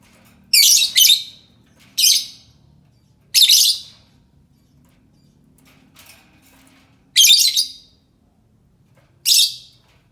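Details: Lovebird calling as a lure to draw answers from other lovebirds: about six shrill, harsh, broadband screeches in irregular bursts, some closely paired, with quiet pauses between and no other sounds.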